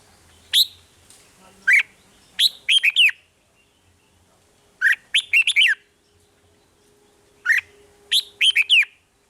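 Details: In Thailand, a caged red-whiskered bulbul gives rik-style song, with short bursts of three to five clear, slurred whistles repeated every two to three seconds and separated by silences.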